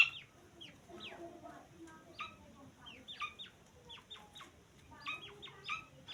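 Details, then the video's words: Young grey francolin: scattered high, descending chirps, some single and some in quick runs of three or four, over faint background noise. "तीतर का बच्चा आवाज़"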